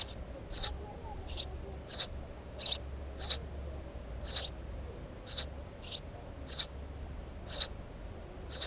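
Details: Steady run of crisp, high chirps from a house sparrow, roughly one or two per second across nearly nine seconds, with a soft low hum underneath.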